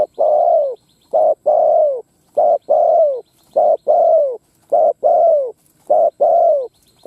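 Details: Lure spotted dove cooing steadily to draw wild rivals into a fight, a rapid unbroken series of low, hoarse coos, short notes alternating with longer falling ones, about one pair per second.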